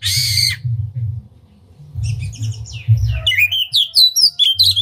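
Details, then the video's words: Oriental magpie-robin, a lively singer spreading its tail, used as a lure to rouse other magpie-robins to sing. After a loud harsh burst and a pause, high whistled and chattering phrases build up over a steady low hum. "Pancingan Kacer Gacor Buka Ekor Lagu Unik! Bagus Buat Menaikan Emosi Kacer Lain Agar Gacor"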